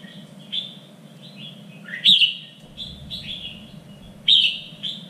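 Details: Contest-training song of a red-whiskered bulbul in a three-region standard style: a run of quick whistled phrases, some rising, others falling, with two loud emphatic bursts and a constant low hum beneath.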